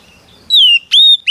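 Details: Female Oriental magpie-robin whistling to stir up a male: a long, pure whistle gliding downward, then a rising-level whistled note and a brief upward flick, over faint background hum.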